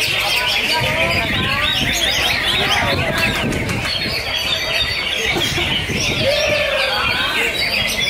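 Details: A first-place-winning greater green leafbird, recently past its moult, sings a fast, busy stream of high, twisting whistles and chatters at a crowded Indonesian songbird contest, with voices and applause underneath.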